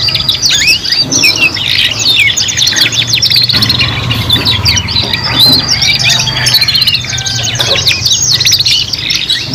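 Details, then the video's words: Young canaries, three singing together, learning to sing: dense overlapping high twittering with rapid trills, whistled notes and quick rising and falling sweeps, continuous throughout, over a steady low hum. "KENARI PAUD BELAJAR BUNYI BARENG 3 IN 1 | CANARY SINGING"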